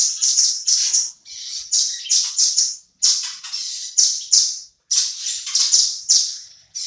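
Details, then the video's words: Velvet-fronted nuthatch, a caged bird whose calls serve as tutor material for shamas, giving clustered bursts of high, sharp chipping notes separated by short pauses. "BURUNG RAMBATAN GACOR | BUAT ISIAN MURAI"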